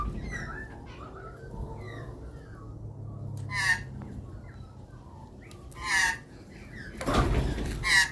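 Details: Australian magpie being hand-fed in Australia, giving a few harsh, nasal calls with rich harmonics, spaced a couple of seconds apart, over faint warbling, low rumble and a rustling burst near the end.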